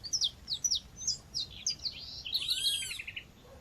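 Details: A female seedeater (coleiro or papa-capim) calls over nature sound to stir up males. Rapid high chirps come in quick pairs and slides, then merge into a denser tangle of twittering, with a ringing, stacked call from another bird.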